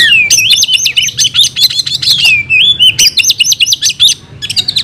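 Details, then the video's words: Oriental magpie-robin, a kept bird singing its fighting song: dense rapid high chattering runs joined by long gliding whistles, nearly continuous with short breaks, clear against a quiet low hum. "Kacer gacor tarung bongkar isian"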